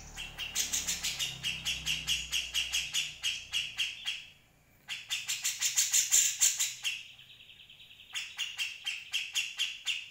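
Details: Grey-cheeked Bulbul chattering, used to tutor other birds: three bouts of rapid, harsh repeated notes separated by short pauses, one pause holding a faint thin tone.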